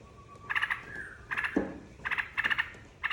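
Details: Lure recording of a Yellow-vented bulbul singing to prompt other birds to answer: quick runs of gurgling, chattering notes in bursts of several syllables, with brief gaps and a faint low thin whistle before the first burst.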